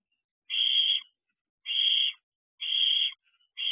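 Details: Barn owl bringing a rodent to owlets in an owl box near midnight, 26 June 2023: four long, breathy hissing screeches, each about half a second, spaced roughly a second apart in otherwise quiet surroundings.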